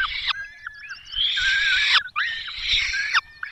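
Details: In the Barycz Valley on 5 May 2022 the male peregrine falcon brings a small bird and the female feeds the young; rising wail into long, rasping screeches, two main bursts, somewhat quieter than other moments.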